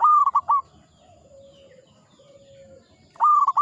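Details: Old local zebra dove singing two clipped, stuttering coo phrases at the start and end. A quiet, level low hum fills the gap between them.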